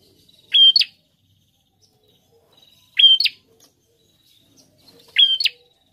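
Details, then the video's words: Gacor prinia repeating a crisp high whistled note with a buzzy rising tail, three phrases at steady intervals of about two and a half seconds. "Prenjak Gacor"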